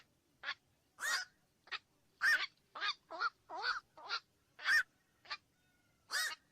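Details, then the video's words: Rhythmic run of coarse, clipped croaks from black-crowned night herons, about two dozen a minute, fairly evenly spaced across the recording. "SUARA BURUNG KOAK MALAM"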